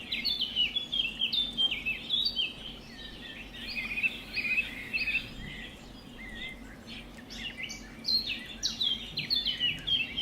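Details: A budgerigar busy with grass chatters in a steady stream of scratchy, warbling chirps and squeaks.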